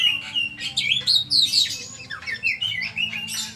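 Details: Oriental magpie-robin in full song: loud whistled phrases that swoop up and down, mixed with sharp chips and short buzzy bursts, each phrase following the last in quick succession over a faint background hum.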